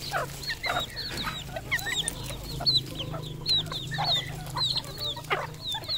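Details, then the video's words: Red junglefowl kept on a Cambodian farm: many high, downward-hooked peeps overlap in a continuous chorus, with a steady low hum underneath. "red junglefowl farm Cambodia"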